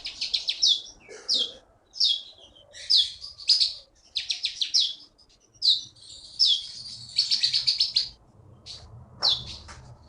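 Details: Champion songbird from the forests of Bangka repeats loud, sharp, downslurred chirps in rhythmic bursts, with faint low background rumble.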